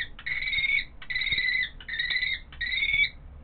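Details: Young common kestrel chick chasing its father along a railing on an early July morning, begging for food: four drawn-out, high, slightly rising whining notes about once a second, with a faint low background rumble.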